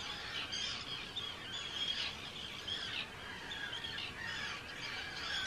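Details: Arctic terns at a large breeding colony with hundreds of birds on Rottumerplaat, Groningen, the Netherlands, 4 June 2023; a dense chorus of harsh, high, overlapping screeching calls, continuous throughout.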